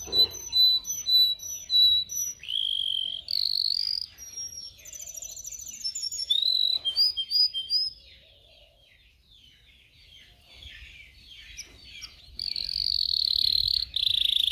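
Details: Varied canary song for training young singers: whistled slurs, buzzy rolls and a high rattling trill, falling silent midway before a loud buzzy roll returns.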